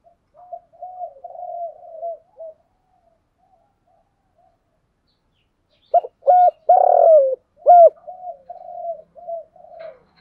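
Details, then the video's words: Caged decoy spotted dove cooing to stir wild doves into answering and approaching the fighting perch; a soft wavering coo phrase, a pause of several seconds, then loud emphatic coos trailing into softer rolling notes. "chim cu mồi thúc gù gáy gọi dùng kích bổi nhanh nổi gù"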